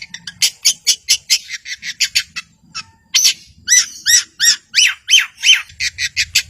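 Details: Long-tailed shrike in strong song intended to trigger singing in silent birds. Quick sharp ticking notes, a brief lull, then a loud series of slurred, descending chirps repeated about three per second.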